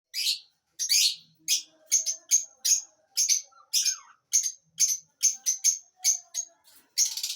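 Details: Lovebirds chirping: sharp, high, clipped chirps repeated in a steady series of about sixteen notes, roughly two per second, some doubled, with brief pauses between them.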